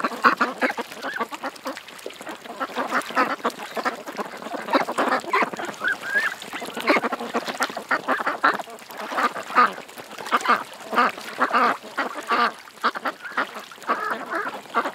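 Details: Many ducks gathered at a creek keep up a continuous chorus of raspy quacks and honks, calls overlapping in steady busy bursts.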